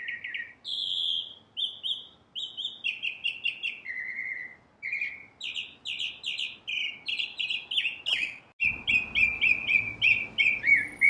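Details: Northern cardinal singing a long varied series of whistled notes, some downslurred and some level, repeated rapidly at about three per second; the pace quickens toward the end into a rapid trill.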